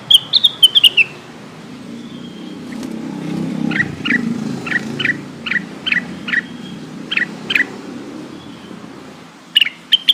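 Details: Lesser green leafbird call for summoning companions, used as a lure for birds that will not sing: a fast burst of high chips, then a slower series of about ten evenly spaced lower chirps over steady traffic-like rumble, ending with sharp notes.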